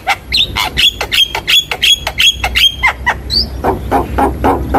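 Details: Javan myna song used to prompt young birds to sing: rapid sharp clicks with a repeated high whistled note, then lower rasping notes.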